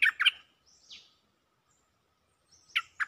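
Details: Cream-vented bulbul calling for a mate: a couple of loud throaty chirps, a soft falling note, a pause, then two more emphatic chirps, with faint thin high notes in the background.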